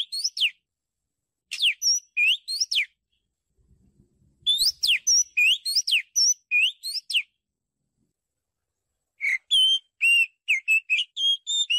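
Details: Song of an Oriental magpie-robin on a Thai bird-luring recording: bursts of sharply falling and rising whistles repeated in quick runs separated by pauses, ending in a stream of higher, steadier whistled notes; a soft low thump midway.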